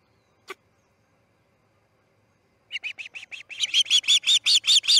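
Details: Charlo nest osprey around a chick's fledging on August 10, 2018, early morning: a lone click, silence, then chirps starting soft and quickly building into loud, rapid, high whistles.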